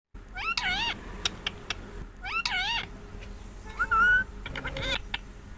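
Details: Parrot giving natural calls indoors: two bursts of wavering, warbling, nasal notes with layered overtones, then a clearer rising whistled note and short clicks, over a steady low hum.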